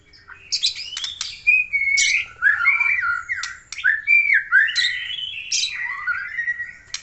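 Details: White-rumped shama from Aceh singing energetically: loud varied phrases of rich whistles sliding between mid and high pitch, interspersed with sharp chattering notes and quick rising sweeps, nearly continuous with brief pauses.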